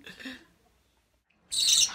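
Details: Budgerigar (Melopsittacus undulatus), squawking: expressing contentment; happy squawking, not distress.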